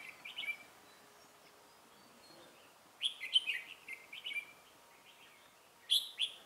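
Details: Red-whiskered bulbul at a bird trap, recorded 17 November 2017. It gives short, bright, chirpy warbled phrases in scattered bursts near the start, through the middle and at the end, fairly faint against a quiet background.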